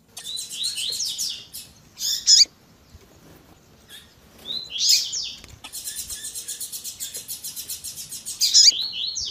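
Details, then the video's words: Double-collared seedeater in tui tui zel zel style, with a female's calling: bursts of rapid, high, buzzy trilled notes separated by loud sharp chips, with a long rattling trill at the end. "COLEIRO TUI TUI ZEL ZEL COM PIADO E CHAMANDO DE FÊMEA MUITO QUENTE CHAMANDO E MACHEANDO MUITO."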